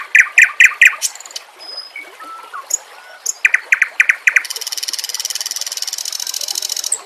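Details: White-rumped shama training recording with trickling water: harsh, clipped chattering notes repeated in quick series, a few thin whistles, then a long fast buzzy rattle sustained for nearly three seconds.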